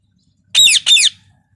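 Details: Two loud, rasping squawks from a parrot, each about half a second long and sliding downward, separated by a brief gap, against a silent background.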